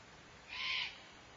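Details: An older fledgling Barn Owl begging outside the nest at 3:30 am on 26 June gives one harsh, hissing, snore-like begging call lasting under half a second against a quiet background.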